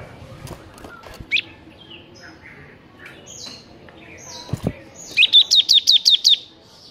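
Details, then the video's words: Bar-winged prinia in lively, tutor-style song: a row of seven sharp high chirps at the end, preceded by scattered soft calls of other birds and a few clicks. "Ciblek NGEBERN GACOR Sangat Cocok untuk MASTERAN Ciblek Yang MALAS BUNYI"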